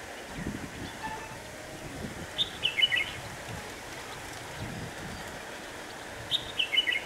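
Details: Lure red-whiskered bulbul in a trapping setup on a windy day, 26 November 2018, gives two brief clear warbled phrases about four seconds apart amid constant wind rush and faint low thumps.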